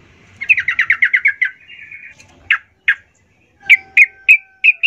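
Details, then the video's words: Active yellow-vented bulbul song: a rapid series of about ten bubbly, liquid notes trailing into a soft warble, then several separate short chirped notes spaced under half a second apart. "Suara trucukan gacor"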